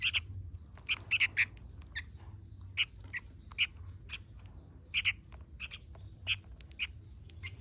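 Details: Sooty-headed bulbul singing vigorously in gacor fashion, a busy run of harsh, clipped chirps, often doubled, repeated throughout at uneven intervals, with a thin steady high tone underneath.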